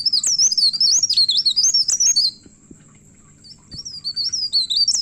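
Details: Myna singing hard, searching for a rival: a dense chain of high, wavering whistled phrases for two seconds, a pause, then the twisting notes resume, with a constant background hum.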